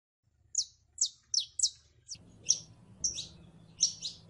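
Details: Saffron finch song: a run of sharp descending chirps about every half second, then fuller double notes, with a low hum entering partway through.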